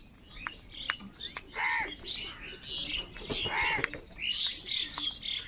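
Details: A large flock of crows, said to be fighting for food: a couple of harsh, drawn-out caws stand out amid constant chirping and squawking from many birds.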